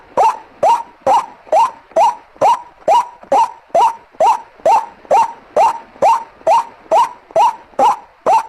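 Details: White-breasted waterhen calling as a lure, the ruak-ruak sound: a long, regular run of clipped, croaking notes that rise at the start, nearly twenty in eight seconds, with nothing else audible.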